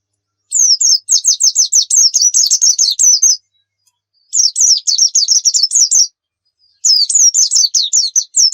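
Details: Pleci (white-eye) song meant as a pancingan to spur birds into lively singing: three quick bursts of thin, high twittering notes, each note sliding downward, with short gaps between.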